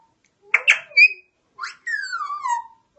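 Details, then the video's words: Parrot making sounds: clipped squawky syllables and a sharp whistle, then a long descending whistled glide after a short pause. "Cute parrot talking and making sounds"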